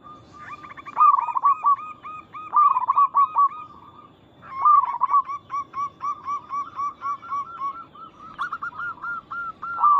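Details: Local zebra dove in lively song, a recording used to draw other zebra doves to answer: a series of short, evenly spaced clipped notes breaking into rolling, quavering coos, repeated in bursts with brief pauses.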